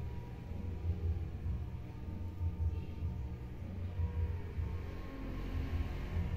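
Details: Deep pulsing rumble, like an engine or a bass beat, throbbing roughly every second and a half; no talking bird is heard.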